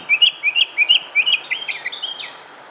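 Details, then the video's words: A Northern Mockingbird sings in Concord, North Carolina, USA, on 07-06-2016. It repeats a bright chirped phrase four times quickly, then switches to a different sweeping phrase repeated several times, over faint background hiss. "Northern Mockingbird Songs"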